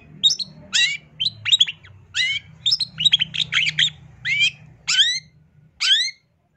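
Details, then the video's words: Long-tailed shrike in energetic song: bursts of fast, varied whistles and buzzy chatters, later a few clear descending notes spaced about a second apart, with steady low humming in the background. "Kicauan Cendet No #1❗SUARA Masteran Cendet Gacor FULL ISIAN JOS"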